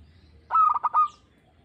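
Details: A single phrase from a local zebra dove in a song audition: a clear low coo breaking into quick rolling notes and ending on a longer held tone.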